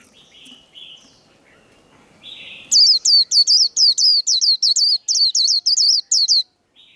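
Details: Faint scattered chirps and short tones give way to a white-eye's líu fighting song. About fourteen rapid, piercing whistled notes follow, each a quick downward-curling slur, in a steady, insistent burst.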